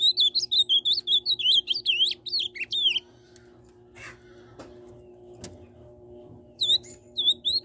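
An Ultramarine Grosbeak delivers a rich, fast warbled phrase of sweet slurred notes for three seconds, pauses, then starts again, over a low indoor hum.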